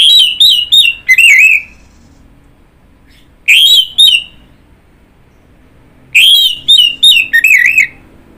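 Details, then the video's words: Orange-headed thrush delivering three bursts of loud, fast, warbling whistles, each a string of four or five rising and falling notes ending on a lower slur, spaced about two to three seconds apart. "Kicauan Burung Anis Merah"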